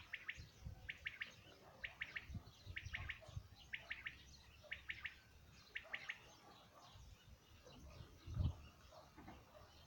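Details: A common quail sings in 2019: a crisp three-note 'wet-my-lips', repeated roughly once a second, over a low rumble with one dull thump near the end.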